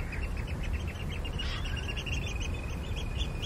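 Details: Eurasian curlew on the Ythan Estuary at Newburgh, Aberdeenshire, Scotland, at low tide on 7 February 2014: a rapid run of short whistled notes followed by a drawn-out, level whistle, over steady low wind rumble.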